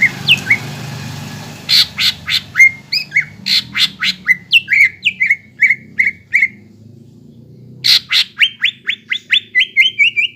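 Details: ['Greater green leafbird song meant to rouse young birds into singing: harsh broadband notes alternating with short downward-slurred whistles in fast series of about four per second, faint low background hum.']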